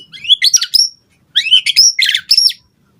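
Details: White-rumped shama song used to provoke other birds to respond: phrases of sliding whistles and rapid chattering notes, mostly high-pitched, in two bursts separated by a short pause.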